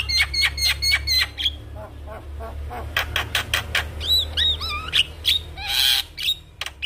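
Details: Javan myna in lively song with many fill-in phrases: repeated whistled chips, then dry rasping notes and upward-swinging whistles, ending in a loud harsh burst, over a steady low hum.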